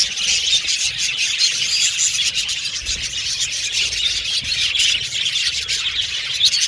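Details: Chattering budgies in a colony aviary: a constant bright twitter of many birds with quick clicky chirps and a few thin whistles.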